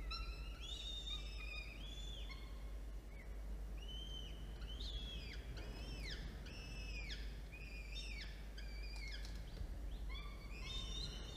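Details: Falcons at a nest with two young chicks, hatched in early October, during a midday feeding on 13 October 2022: a long run of loud, overlapping arched whistles and sharp downslurred notes over a steady low rumble.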